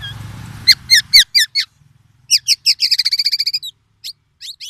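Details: Black-naped oriole singing oriental magpie-robin imitations to challenge rival orioles: a clipped run of high chirps, then a fast rattling trill of bright notes and scattered short calls, with low rumble at the start.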